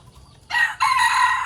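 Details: Short burst of a rooster's morning crow: a loud, coarse, wavering note starts abruptly, breaks briefly, then continues strongly.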